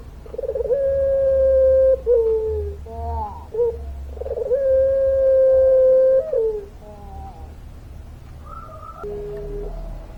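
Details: Puter pelung dove in long-voiced song: two prolonged, even coos, each about one and a half seconds, separated by short quavering catches, with a faint low rumble underneath.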